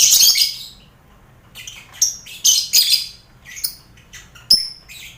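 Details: Lovebirds in a busy colony cage shared with finches and quail, played as mental training for competition birds: loud, harsh shrill bursts open the clip, followed by shorter squawking calls in uneven clusters.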